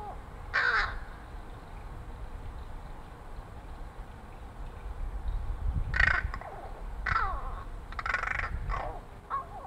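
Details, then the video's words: A crow that visits a fire escape to be fed chatters quietly at its friendly feeder: scattered short rasping, rattling notes with long pauses between, over a low background rumble. "My crow boyfriend"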